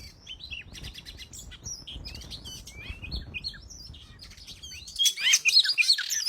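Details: Oriental magpie-robin (kacer daput) song used as a lure recording: a dense run of varied whistled and slurred notes, rising and falling sweeps, that ends in louder, sharper chattering bursts, with a low rumble underneath.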